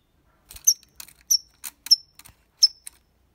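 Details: European goldfinch in copia Málaga song style, meant to stimulate young birds to learn: quick high twittering notes with sharp ringing whistled tails, mixed with faint clicking, in rapid irregular bursts.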